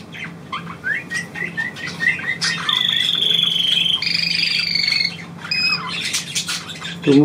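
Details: Caged pet bird trilling when prompted by its owner: a run of short whistled chirps, then sustained high buzzy trills lasting a few seconds, with a man speaking German at the end.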